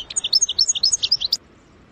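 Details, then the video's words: European goldfinch singing with the trilled style known locally as sarsara: a quick run of bright, high chirped notes, about ten in just over a second, then silence. "اقوى حسون يسرسير بتغريد"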